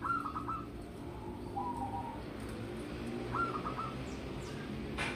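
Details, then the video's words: Singing zebra dove of local wild origin, raised from young, recorded as a lure: soft broken phrases of stuttered coos with long pauses, over steady low background noise. "Pancingan Pekutut Lokal Manggung"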